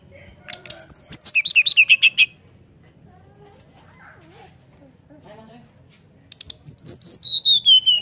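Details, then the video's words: Caged brown-chested jungle flycatcher whistling open-beaked to draw other birds into singing. A rapid series of descending whistled notes, a quiet pause with faint background murmurs, then another fast, falling whistled run. "Srdc nyuling buka paruh untuk pancing SRDC lain ikut bunyi ampuh"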